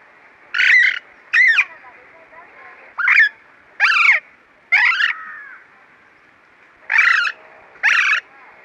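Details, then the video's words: Alexandrine parakeet giving loud, harsh, grating squawks, seven separate bursts in about nine seconds at irregular spacing, some paired closely, each short and rasping with a slight downward bend, against a quiet background. "Parakeet calls and sounds | Alexandrine Parakeet"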